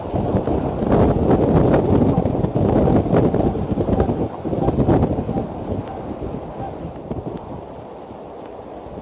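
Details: Gusty wind buffets the microphone in loud rumbling bursts that ease off toward the end, with no bird calls heard.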